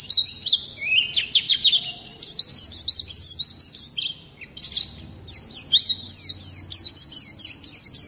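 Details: Oriental white-eye in full song: high, harsh, rolling twitters delivered in fast chains of sweeping notes, with a brief pause midway, then dense buzzy trills; recorded as training material to stir caged songbirds into singing.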